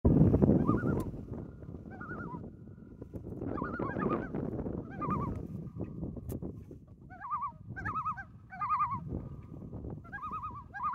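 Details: Wild loons on Boya Lake, British Columbia, Canada, heard from a canoe with echo off the water: repeated bursts of wavering, quavering tremolo notes, several bouts in quick succession over a low rumbling background of water and paddling noise.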